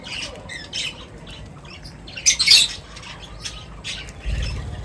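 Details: Birds at feeding time: brief high chirps and short harsh squawks, one loud squawk burst in the middle, a low rumbling thud at the end.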